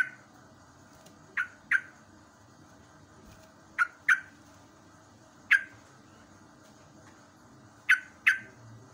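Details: Live morning sound of a yellow-vented bulbul, natural training sound for young caged birds: pairs of abrupt, lower-pitched falling chirps spaced a couple of seconds apart, plus one single chirp, with a constant background hum.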